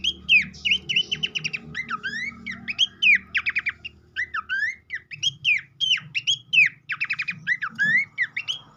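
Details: Continuous lure song of a Horsfield's babbler, used to make a fresh captive bird start singing fast. Loud whistled phrases alternate rapid trills of falling notes with swooping, looping slurs, almost without pause, over a low background hum.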